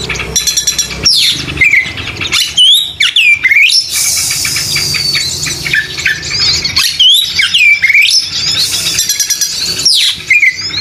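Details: Oriental magpie-robin song: loud sweeping whistles that dip and rise in U-shaped slurs, broken by bursts of harsh rasping chatter, repeated in phrases with short silences between.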